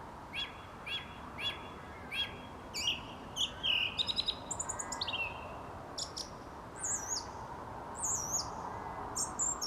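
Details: At dusk outside a studio, a song thrush sings a clear mid-pitched note repeated four times, then moves into varied chirpy and whistled phrases with rising and falling high notes, over a constant low hum.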